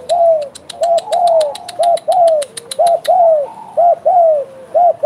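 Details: Energetic spotted dove (derkuku gacor) in bekur style: about five paired coos, brief hooked note then longer descending one, steady rhythm, with quick ticking clicks during the first three seconds.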